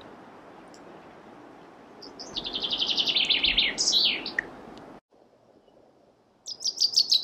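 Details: Chaffinch singing over steady background hiss: a fast, slightly descending trill of high notes ends in a sharp dropping flourish, then after a brief break a new bright trill begins.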